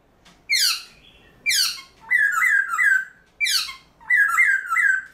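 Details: Early-morning training song of a caged black-throated laughingthrush: harsh, steeply falling sweeps alternate with bright warbled whistle phrases, each burst about a second long with short pauses between.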